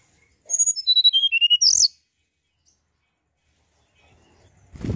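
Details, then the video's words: Mountain tailorbird song used to provoke other birds: a brief rapid burst of high, clear descending whistled notes, about ten in a second and a half, then silence with a soft thump at the end. "tledekan gunung gacor pancingan burung anda"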